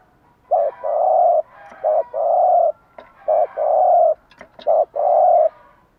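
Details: Morning song of a spotted dove, played to rouse and train caged doves: four paired phrases, each a brief coo followed by a long rich coo, repeated about every one and a half seconds, with faint clicks between.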